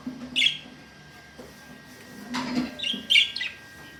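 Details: Lovebird calls: short sharp high chirps in a few bursts, with a faint steady tone and low hum beneath.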